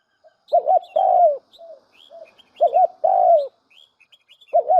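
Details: A decoy spotted dove coos in a steady cycle: a quick double note, then a longer coo gliding down, about every two seconds, with faint scattered chirps from small birds.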